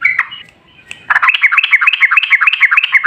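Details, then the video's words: Yellow-vented bulbul used as a lure for other bulbuls: after a brief note and a quiet gap, a rapid bouncing series of rolling, gurgling notes repeated roughly three times per second. "Pancingan Trucukan PALING AMPUH ! Burung Langsung Ngalas | & Nyaut Gacor"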